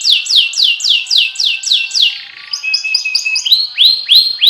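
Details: Canary singing loud, rhythmic phrases: a string of identical downslurred whistled notes repeated about four times a second, then a brief rolling trill and a run of rising, swelling notes.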